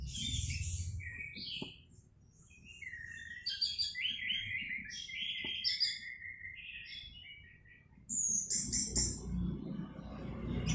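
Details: Orange-headed thrush in varied song, a fast string of clear whistles, slurs and sharp chirps in shifting phrases, pausing briefly before a final high, scratchy burst; faint background noise.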